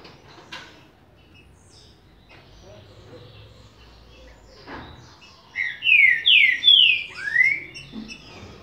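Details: Green-winged saltator, called trinca-ferro, of the Bacural line: a short burst of loud, clear whistled notes, slurred downward and rising, given in a quick phrase of four or five after faint background noises and knocks.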